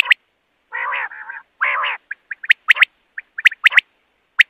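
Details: Common quail at night: opens with two harsh, buzzy nasal phrases, then a run of crisp high whistled notes in twos and threes, rapidly repeated. Otherwise a clean, quiet background.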